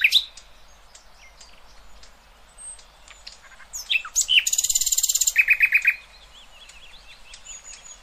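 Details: Nightingale song played to tutor young goldfinches and hybrids: scattered thin high whistles and chips, then a loud buzzy rasping burst followed by a rapid run of repeated clipped notes, fading back to soft high twitters.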